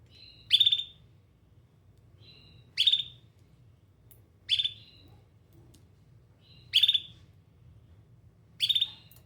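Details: Canary singing in regular bursts: five short, rattling high trills about two seconds apart, each preceded by a faint thin whistle, over a quiet low background hum.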